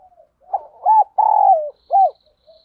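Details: Spotted dove kept as a decoy to draw in wild birds, giving one clear cooing phrase: two short arched coos, a long slurred falling note, then a final short coo.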